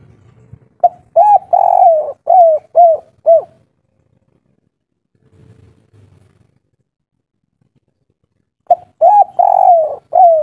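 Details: Mellow kuk 3 coos of a local spotted dove, offered as a lure for other birds: a burst of soft, hollow notes, a long near-silent pause, then the cooing series starts again.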